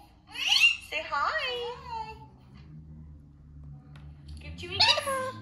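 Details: A pet green Indian ringneck parakeet talks in high, squeaky, voice-like phrases, with a chattering burst at the start and another about four seconds later, and low room hum between, amid owners asking for kisses.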